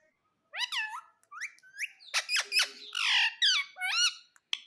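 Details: Pet green parrot talking indoors, saying "mummy": a run of bright, rapidly rising and falling whistled syllables with harsh squawky notes between them, in a quiet small room.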